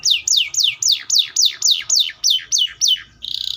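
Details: Atlantic canary repeating about eleven loud downward-sweeping notes, roughly three per second, followed by a fast buzzy trill.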